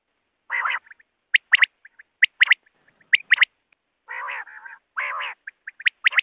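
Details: Night-time common quail calling used for luring birds in hunting: short sharp paired and tripled notes interspersed with longer buzzy, grating bursts.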